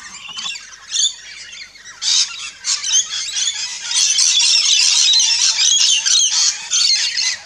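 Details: Rainbow lorikeets at a backyard feeding station in Australia keep up a dense, shrill chatter of harsh squawks and screechy chirps, several birds overlapping almost without pause.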